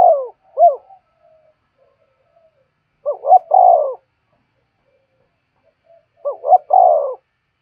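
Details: Spotted dove calls for training trapping decoys: repeated low coo phrases, each a few quick arched notes leading into a longer falling coo, about three seconds apart.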